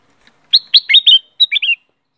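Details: Black-crested bulbul singing a short, clear phrase: about seven liquid, slurred whistled notes, some dropping in pitch, grouped in two quick bursts with a brief gap between them, on a quiet background.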